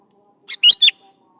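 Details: Sooty-headed bulbul song played as a lure to get young bulbuls answering and singing: one short phrase of three loud, clipped chirping notes, the last two slurred and whistled, over a quiet background.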